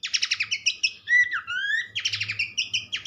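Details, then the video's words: Horsfield's babbler (pelanduk semak) singing loudly: fast series of buzzy, rasping notes repeated in bursts, broken by clear rising and falling whistles in the middle, then more rapid buzzy runs; faint low hum behind. "gacor burung pelanduk semak"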